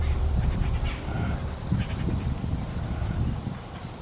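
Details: A noisy group of jungle babblers in an office back garden in West Bengal, India, giving harsh, scratchy chattering bursts that overlap one another, set against a steady low rumble of background noise.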